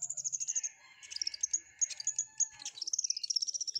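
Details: Flowerpecker song with canary-like phrases: a quick run of high, thin chips, then a jumbled twittering passage and another fast series of sharp, high ticking notes.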